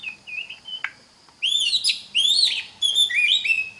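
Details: Oriental magpie-robin song played to teach other magpie-robins to sing: short whistled notes near the start, then loud rich phrases of rising and falling whistles with a bright, strongly ringing quality, given in three bursts.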